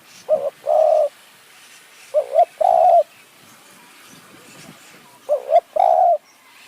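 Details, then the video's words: Decoy spotted dove luring wild doves in high forest near Kanchanaburi, Thailand, in khu ang and nun ang calling styles: three low cooing phrases, each a quick double note then a longer steady coo, about three seconds apart. "ต่อนกเขาใหญ่ป่าสูง เมืองกาญ | คูอ่าง หนุนอ่าง คารมเรียกคําคูคํา"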